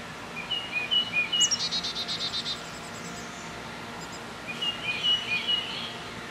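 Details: Adult chickadees feeding nestlings in a nest box the day before the young left; short whistled notes and high thin chips, then a rapid run of buzzy rattling notes, more whistles near the end, faint outdoor noise.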